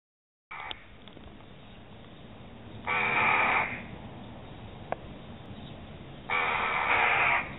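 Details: Two adult Eurasian jackdaws defending their young give two harsh, scolding bursts of alarm calls about three seconds apart, each lasting about a second, over steady low background noise.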